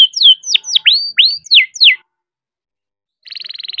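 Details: Young captive-bred canary in full rolling song, used to stimulate reluctant canaries: a series of loud, sharply sweeping whistled notes repeated about every quarter second, a silent gap, then a fast high trill begins.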